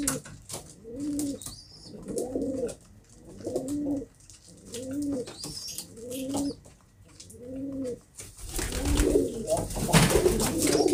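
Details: Kept pigeons (kobutor) cooing steadily indoors: a series of about seven low, arched, throaty coos roughly every second, followed by louder, more jumbled cooing and rustling at the end; faint high chirps scattered throughout.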